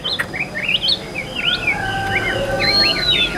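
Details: Caged Chinese hwamei offered for sale, said to have a very good voice and sing very evenly; clear whistled phrases with rising and falling slurs in quick succession, plus a steady higher whistle and faint background hum.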